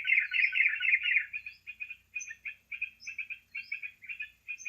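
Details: Sooty-headed bulbul sound played as a lure for trapping: loud dense chatter at first, then evenly spaced short chirpy phrases roughly four per second, with high whistled slurs above.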